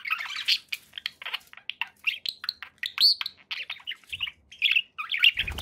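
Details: Budgerigars kept as pets chirp and warble in quick succession, with short whistled notes, one clearer rising-falling whistle near the middle, and a faint soft thump at the end.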